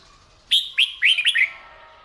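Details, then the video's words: Red-whiskered bulbul singing during morning training: a single crisp phrase of four or five clear, slurred whistled notes, rising then dipping, delivered quickly over faint background hum. "Tiếng Chim Chào Mào Hót , Kích Chim yếu lửa ra giọng , luyện giọng chào mào mỗi sáng"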